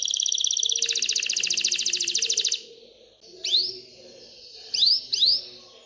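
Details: Excited canary singing to stimulate hens to mate and nest: a rapid high trill for two and a half seconds, then quiet with a few isolated sharp upswept chirps.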